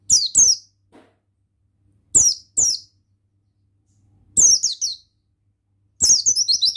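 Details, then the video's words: Male Oriental white-eye (pleci buxtoni), recorded 4 May 2024, giving high, thin twittering bursts in paired phrases every two seconds, ending in a longer rapid chattering run; nothing else is heard. "Gacor Suara Ampuh Pemasteran Burung Pleci"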